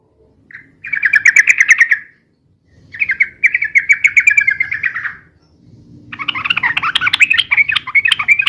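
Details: Yellow-vented bulbul in busy, rapid, long-phrased song, as used for luring and tutoring birds: three bubbly chattering bursts of quick notes around a mid-high pitch, separated by short pauses, in a quiet setting.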